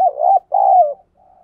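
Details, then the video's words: Caged decoy spotted dove, used daily to provoke wild doves, cooing two low hoarse phrases, a short coo then a longer falling one, followed by a faint trailing note, with a quiet background. "Chim Cu Gáy Mồi Cây Gáy Sung Dùng Kích Bổi Mỗi Ngày"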